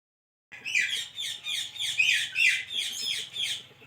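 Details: A parrot said to be talking: a run of about eight raspy, harmonic-rich squawky syllables, one every half second, starting after a brief silence, with faint low hum beneath.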